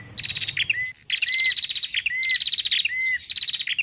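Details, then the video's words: A female bar-winged prinia calls in lively, rapid, high, buzzy chattering bursts about once a second, each ending in a short lower whistled note; used as a lure recording. "PANCINGAN PRENJAK BETINA SUPER GACOR"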